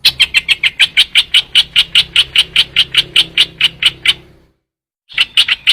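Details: Trao trảo bird lure call: a long string of sharp, clipped chattering notes at a steady quick rhythm, a brief silent break, then the series resumes.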